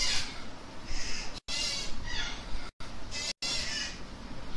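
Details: Baby African grey parrot being hand-fed, giving harsh, broadband squawks in bursts of about a second, with brief gaps between them and steady background hiss.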